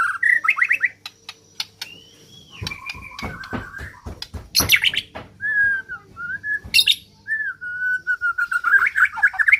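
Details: White-rumped shama, a neglected bird said to have a strange voice, from Borneo: varied song of rising whistles, rapid clicking notes and short slurred phrases, ending in a buzzy warbled run.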